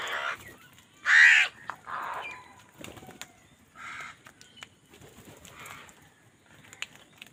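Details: Crows squabbling over food give harsh, raspy caws in short bursts, one loud near the start and others spaced a second or two apart, with faint chirps of small birds in between.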